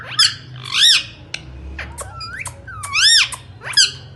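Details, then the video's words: Indian ringneck parakeet, a pet parrot, producing its talking voice: harsh arched squawky syllables with bright harmonics, spaced irregularly with short gaps, plus sharp clicks in a quiet indoor room. "Talking parrots real voice ringneck"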